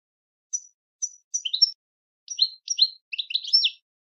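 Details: Goldfinch singing in short bursts of thin, high tinkling chirps, grouped into quick clusters with brief silences between.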